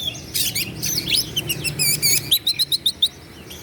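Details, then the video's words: Oriental magpie-robin (kacer) in full song, used to provoke rival males into angry, tail-spreading responses; a varied burst of high whistles and slurred notes, then a run of six sharp, evenly spaced chips near the end. "KACER GACOR LAWAN PASTI NGAMUK EMOSI NARUNG BUKA EKOR"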